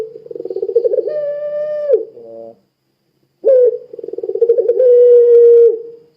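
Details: Barbary dove of the puter pelung type, a lure for making other doves sing: rapid pulsed roll building into a long steady coo, a short nasal drop, silence, then another rising note, roll and sustained coo.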